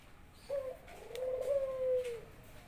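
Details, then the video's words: Household Barbary dove welcoming its owner home after work with a drawn-out, level coo lasting about two seconds, breaking briefly in the middle, then trailing off softly; indoor setting, little else heard. "burung puter saya udah gacor"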